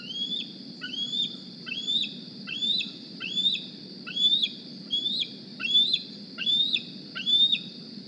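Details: Young bald eagle from the 2020 Decorah nest, fitted with a GPS transmitter, flying to the nest in the morning squeeing for a meal: about nine high, whistled, rising-then-falling squeals, one every second, over a steady high hum and low background rumble.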